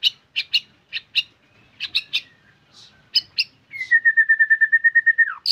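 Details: White-rumped shama singing: sharp clicking notes spaced apart, then a fast, steady trill of about fifteen even whistled notes that drops at the end.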